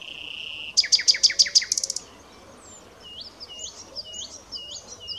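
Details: Common nightingale singing. A steady pure whistle opens the phrase, followed by a fast series of about eight loud, repeated, pulsing notes. Softer chirps from other birds continue afterwards.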